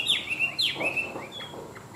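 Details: Tame, large-bodied Chinese hwamei praised as a good singer: loud whistled notes sliding sharply downward, then level warbled phrases and softer trailing whistles, several quick phrases over two seconds, with light background noise.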